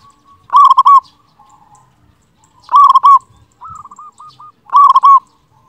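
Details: Master song of a loud local zebra dove, meant to make lazy doves sing. Three strong stuttering coo phrases come about every two seconds, with softer clipped coos heard between them.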